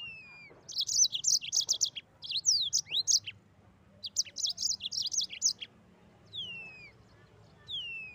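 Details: Mozambique canary singing in the rolling 'ngeroll' style: quick bursts of high, bright chirps alternating with long, clear downward-sliding whistles, and several phrases following in close succession.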